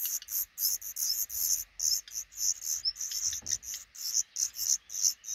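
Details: Black redstarts nesting in a small nook under the roof above a regularly used front door, a pair raising five newly hatched chicks; very high, thin, squeaky notes repeated rapidly, about three per second, in an unbroken run.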